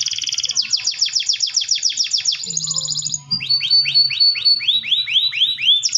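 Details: Atlantic canary in full long rolling song: fast high trills and rolls, shifting into a series of swooping, repeated whistled notes, with a low steady hum in the background.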